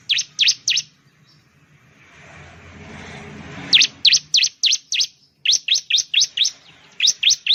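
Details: Bar-winged prinia, locally called ciblek or perenjak jawa, from Indonesia, a bird of plantations, rice fields and villages: loud sharp high chips in fast runs of three to five, a short pause with a low rumble between bursts.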